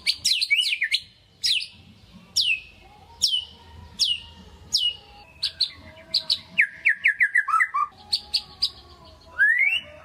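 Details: White-rumped shama kept as a pet bird, singing constantly as a lure song to rouse a lazy shama: loud whistled notes sweeping sharply down from high to mid pitch, separated by brief pauses, then a quick run of descending chirps and a rising final whistle.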